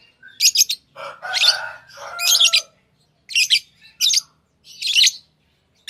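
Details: Lovebirds chirping in shrill, grating bursts about once a second. A lower, more tonal squeaky warble joins briefly near the start.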